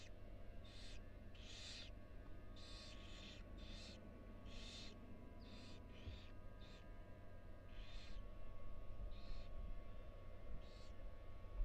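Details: Barn owl family in a nest box at the University of Florida, a female stepping briefly outside while four tiny nestlings rest inside; breathy rasping hisses repeat irregularly about once a second over steady low hum.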